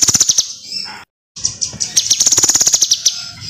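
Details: Kinoi song used as a training recording for other cage birds: very high, rapid metallic ticking notes strung into fast trills, broken by a brief cut of silence midway, then resuming as an even quicker chattering run.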